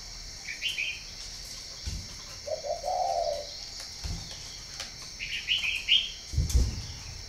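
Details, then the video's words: A single mellow, throaty coo phrase comes from a spotted dove at a breeding farm in Ba Vi, northern Vietnam. Bright chirps from other birds come before and after it, along with several dull knocks. "chim cu gáy hay miền bắc"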